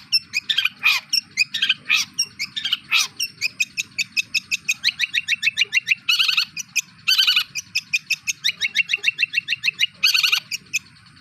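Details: Long-tailed shrike in a fast varied mimicking song: rapid repeated chirps and rattles, several harsh buzzy bursts, notes strung almost continuously.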